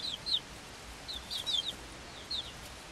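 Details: Swedish Flower Hen chicks, five weeks old and hatched on 26 February 2022, kept with a same-age Silkie chick, give a few thin, high, falling cheeps in scattered pairs against a quiet hiss.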